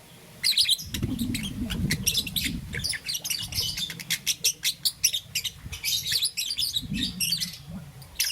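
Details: In the morning a young green and yellow peach-faced lovebird chirps in quick, high, scratchy notes, at times in fast regular series, over a steady low rumbling background noise.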